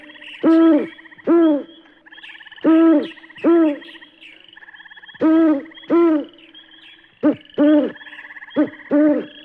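An owl gives deep, slightly rising-and-falling hoots in pairs, each pair roughly two seconds apart, over a steady high chorus of insects or other birds.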